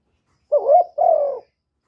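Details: Single spotted dove phrase in the calling and cooing style: a quavering coo rising in pitch, then a longer soft coo sliding gently downward, in quiet surroundings.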